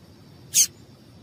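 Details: Female Double-collared seedeater giving a single brief, bright, high chip used to make males sing, standing alone in an otherwise quiet recording with faint background hiss.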